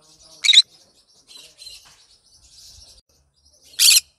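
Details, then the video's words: Green conure in a happy mood singing in the morning: two loud, harsh, broadband screeches about three seconds apart, with soft scratchy chatter and quiet notes filling the gap between them. "morning bird song Green conure sing a song in the morning happy bird"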